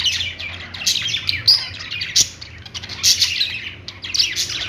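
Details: A busy stream of twittering from budgies making happy sounds: quick high chirps and buzzy notes tumble over one another with little break.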